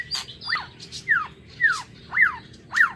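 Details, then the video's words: In an aviary in the morning, a white-rumped shama gives loud downward-sweeping whistled notes, five in a row roughly every half second, each a sharp slurred drop, after a couple of higher chirps. "Tiếng Chích Chòe Lửa độc lạ hay"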